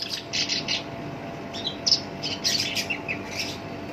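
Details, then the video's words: Black-browed reed warbler, kept in captivity and singing actively with a rough voice meant to provoke other songbirds: grouped rasping bursts, a sharp high whistle, then more harsh scratchy notes in uneven clusters. "SINCHAN (KERAK BASI ALIS HITAM) GACOR POL, SUARA KASAR COCOK BUAT PANCINGAN GACOR LANGSUNG NYAMBER"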